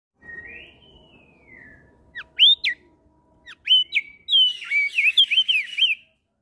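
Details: Javan grey-throated white-eye singing in ngeplong style, answering other birds. A long rising-falling whistle opens, then sharp upslurred notes and a fast run of clear, looping whistled phrases.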